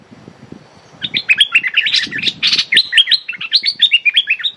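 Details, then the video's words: A decoy streak-eared bulbul directs its calls at a captive female bird: after a second of low rustling, loud rapid chirps and short downslurred whistles come in an excited, almost continuous stream. "เสียงต่อนกดอกแตงEp.167 จ้าวขุนศึกร้องริกใส่เชลย เชลยลูกเสอตัวเหมีย Suara pikat merbah lekir"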